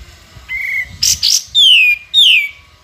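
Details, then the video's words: A sooty-headed bulbul singing, used as a master song for training other songbirds: a steady high whistle, two quick harsh chattering bursts, then two loud slurred whistles dropping in pitch, with faint low background hum. "KAPAS TEMBAK GACOR FULL NGEPIK BESET"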